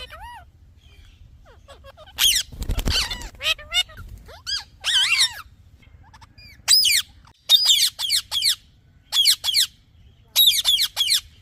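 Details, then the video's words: Chirping of a talking parrot: a soft call, then a rustling noise and a string of quick descending whistles, followed by regular clusters of short, sharp chirps with pauses; low hum behind. "Talking Parrot Chirping Sounds"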